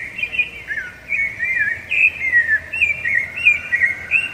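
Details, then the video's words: Rufous-bellied thrush (sabiá-laranjeira) singing to mark territory and attract a female: a loud, continuous run of varied whistled phrases, each a short warble that rises and falls, with brief pauses between them and a quiet background. "Canto de Sabiá Laranjeira"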